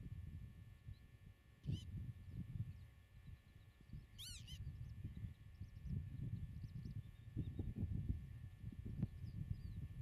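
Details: Common redshank on the nest in grassland farmland, camera placed 8 m away: a sharp call, then a loud doubled ringing arched call, with faint distant notes and heavy low wind rumble.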